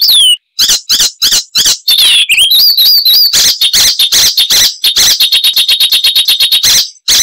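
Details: Loud, varied Icterine warbler song, noted for mimicry of other wild birds: whistled slurs and squeaky notes give way to a rapid stuttering series of dry clicks and buzzes, continuous and high-pitched.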